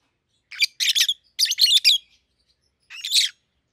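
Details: A captive pair of young peach-faced lovebirds, a red-headed green opaline and a red-faced dark green, utter three harsh, grating chirp clusters with a short pause before the last.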